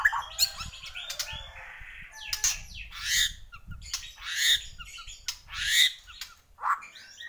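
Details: Bornean white-rumped shama singing vigorously: harsh, buzzy squawks and scratchy bursts alternate with brief high notes in a dense, irregular delivery with no steady rhythm.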